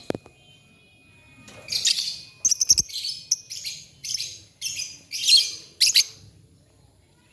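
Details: Lovebirds singing in the morning, answering one another: bursts of harsh, buzzy high chattering and squeaky chirps, several short phrases in quick succession after a quiet start, with a faint steady tone underneath.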